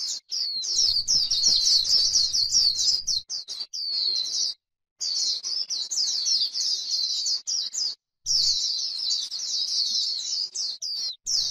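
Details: High, rapid warbling 'líu' song of a white-eye on grassland, a near-continuous stream of sharp twittering notes with only brief breaks and a low background murmur early on.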